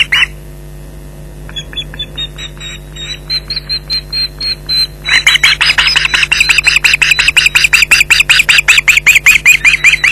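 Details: Osprey pair at their Loch Garten nest calling at an intruder, July 2011: thin high whistled notes build up, then become loud urgent repeated yelps, nearly three a second, over electrical hum.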